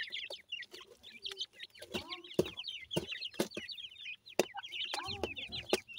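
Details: Newly hatched francolin (teetar) chicks give a continuous stream of thin, high peeping notes, with sharp clicks and knocks scattered throughout.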